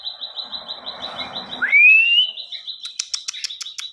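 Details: Ciwah in vigorous song, serving as training material for other songbirds: a fast even trill of pulsed notes, broken by one clear rising whistle, then the trill returns with sharp clicking ticks overlaid.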